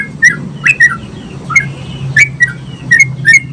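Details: Sooty-headed bulbul singing energetically to stimulate other bulbuls: scattered short whistled chirps, some in quick pairs with gaps between, over a steady low-pitched hum.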